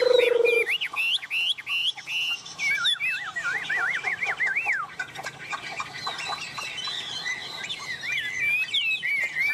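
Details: Hand-tame Chinese hwamei singing energetically while perched on a hand: a low buzzy note opens, then fast rolling whistled trills and curved slurs, continuing with varied chattering phrases.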